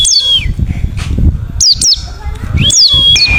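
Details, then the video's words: Wild white-eye call meant to get others to answer: high chirps sliding sharply downward, sometimes paired, with long flat whistles trailing after, amid low background murmuring. "Panggilan Suara Burung Pleci Ngalas Gacor - Topcer Langsung Nyaut"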